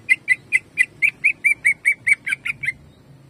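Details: Caged greater green leafbird singing the 'jamtrok' shooting song meant to fire up other birds: a quick run of about thirteen bright whistled notes, evenly spaced, ending abruptly into low hum.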